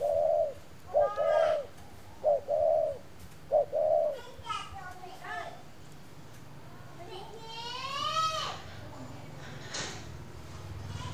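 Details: Spotted dove from a northern Vietnam bird garden cooing four times in quick succession, each a short note and a wavering coo, followed by people talking and children's voices.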